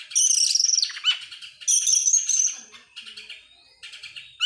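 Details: An excited Oriental magpie-robin spreading its tail sings long rattling phrases of high buzzy notes, then softer twitters and a thin rising whistle.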